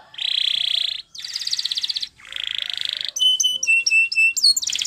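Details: Spanish Timbrado canary singing a training song: dense buzzy metallic rolls at high pitch, a long rattling trill, then clipped ringing notes and sharp whistled syllables.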